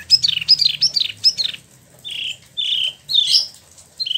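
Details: Captive Wambi Mini, the spot-throated babbler, from China and Vietnam and now kept in Bandung, West Java: four quick downward-sweeping chirps, then three longer steady whistled notes and a final short note, indoors with a low background hum.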